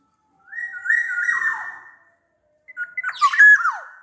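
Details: Black-naped oriole from Sumbawa, a big-bodied bird used as a lure to make other orioles sing: a long, rich fluted whistle that drops and fades, then a burst of bubbling, liquid whistled notes sweeping downward.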